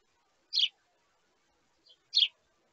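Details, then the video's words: Hungry sparrow chicks beg their parents for food: two buzzy, harsh chirps over a second and a half apart, a soft brief note just before the second. "Baby Sparrow Wants More"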